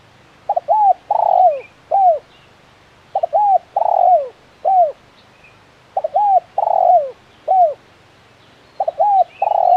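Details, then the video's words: Tekukur, the spotted dove, calling in the lively 'kuk 1' style: three full phrases, each a doubled short note, a long vibrating coo and a falling coo, repeated roughly every three seconds against a quiet background. "Suara Burung Tekukur Gacor KUK 1 Mersik"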